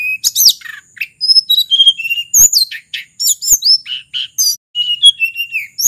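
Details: Merapi mountain sulingan in long, varied song, used as a lure for wild and silent captive birds: a continuous medley of high whistles, quick trilled bursts and downward slurs with brief pauses.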